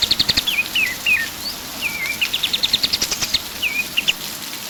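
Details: Pied triller in full song, mixing short bursts of fast high chips with sweet, stepped downward-slurring whistles, then a brisk chip run and two more slurred notes.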